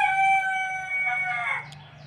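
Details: Adult Sonali rooster, recently begun mating, crows in a poultry shed: a loud, sustained, strained note that holds steady and then fades away.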